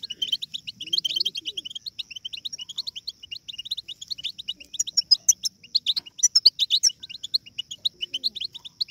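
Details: Chorus of European goldfinch chicks babbling, meant to set goldfinches singing: a fast, shrill twitter of overlapping chirps, thickening into dense clusters around the middle, with occasional clicks.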